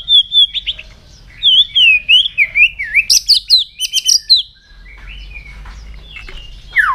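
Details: Morning song of a White-rumped shama during voice training: a rapid run of loud, varied whistled phrases rising and falling in quick succession, then a pause and a few softer scattered notes.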